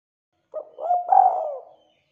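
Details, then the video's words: Lively spotted dove calling, a recording for luring other doves: a soft lead-in note followed by a mellow coo that stretches into a long, quavering, gently descending coo, nothing else audible. "Suara Tekukur Gacor Buat Pancingan"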